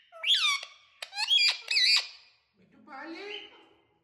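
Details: A talking parrot gives raspy, speech-like squawks in quick bursts, a harsh chattering phrase, then a softer, lower nasal mutter after a brief silence.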